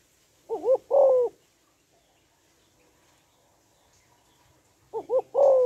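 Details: Female spotted dove calling to stimulate males: two mid-pitched cooing phrases, each made of two short wavering notes and then a longer drawn-out coo, with about four seconds of quiet between them.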